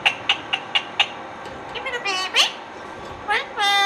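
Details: Talking Indian ringneck parakeet: five evenly spaced clipped clicks or ticks, then wavering high syllables and a sustained, bright, nasal tone at the end.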